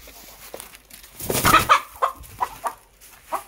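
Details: Chicken recorded naturally without added effects; a burst of noisy squawking followed by a series of short, spaced clucks, with a man's voice nearby.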